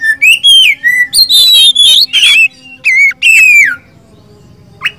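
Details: Kacer, Oriental magpie-robin from Indonesia, poci or local type: loud continuous whistled phrases with sweeping and buzzy notes for almost four seconds, then near silence.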